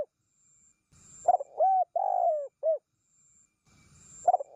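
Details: Spotted dove call used for luring wild doves: a low, mellow phrase of four coos, a short note, a longer one, a drawn-out slurred one, then a short closing coo, with faint rustling before and after.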